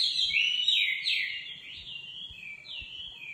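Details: Nightingale singing: loud, continuous whistled phrases that slide up and down, with long swooping notes and brief buzzy bursts, over a quiet background.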